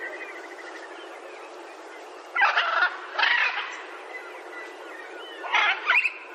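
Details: Macaw calls come in three rough, raspy bursts spaced a few seconds apart, with quieter chatter and faint higher calls in between.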